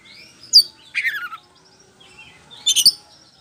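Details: Oriental magpie-robin of the poci form singing as a lure: a sharp high note, a falling buzzy trill, a pause, then a tight cluster of bright chirps.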